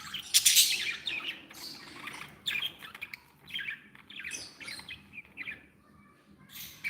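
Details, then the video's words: Happy pet budgies produce a loud shrill squawk early on, followed by a continuous tangle of chirps, buzzy warbles and scratchy notes from several birds. "Happy budgies | Happy budgies sound"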